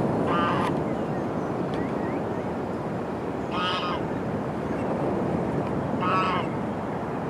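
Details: Pied avocets with their young at dawn, 5:00am on 2 July, Benacre, Suffolk: three clear, fluty calls about three seconds apart over a steady rushing wash of wind or water.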